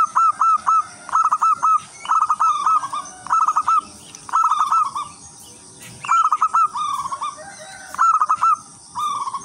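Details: Local wild zebra dove in lively song, a lure for other zebra doves: loud, dense series of stuttered coo phrases following one another almost continuously, with faint higher bird calls.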